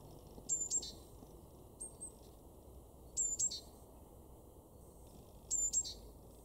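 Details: Great tit, a garden bird in Weener, East Frisia, far northwest Germany, March 2024. High, thin paired notes come in short bursts about every one to two and a half seconds over a quiet, low background rumble.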